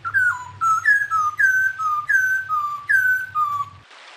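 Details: Clear whistled song of an unnamed bird, used as Indonesian songbird tutoring material: pure, fluty notes alternating between higher downslurs and lower level whistles, about two per second, with a soft low hum underneath.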